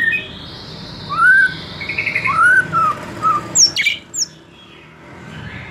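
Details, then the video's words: White-rumped shama, for young wild-caught and freshly moulted juvenile birds: rich arched whistles and a buzzy note, followed by several sharp high chips in quick succession, then quiet. "Memancing murai batu MUDA HUTAN dan LEPAS TROTOL agar GACOR NGEPLONG"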